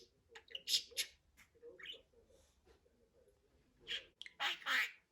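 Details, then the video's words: Budgie chatter with squeaky whistled slurs and raspy clicks in quick succession, a quieter murmuring stretch in the middle, then louder buzzy notes to finish. "MUHABBET KUŞU | DİNLET KONUŞSUN"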